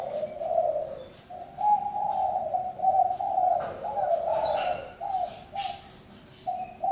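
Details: Spotted dove giving steady low coos strung into repeated phrases with brief breaks. Soft clicks and a few faint high chirps sound in the background.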